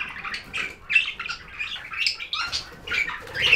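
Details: Steady budgerigar chirping, a continuous stream of buzzy, scratchy warbled notes and short squeaks with no pauses.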